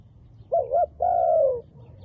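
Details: Wild dove with dark black plumage delivers a wavering double coo and then a long, level coo that drops away at the end.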